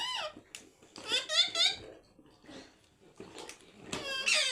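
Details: A pet parrot in a good mood, talking nonstop: bursts of high, speech-like chatter with gliding harmonic tones, several short phrases separated by brief pauses, the loudest coming near the middle and at the end.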